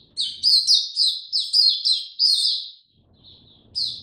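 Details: Slow, easy song of a caged Oriental white-eye, 2 May 2022: about eight bright, sharply rising and falling chirps in quick succession, a brief pause with soft twitters, then another chirp.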